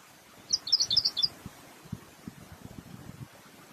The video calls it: pink robin song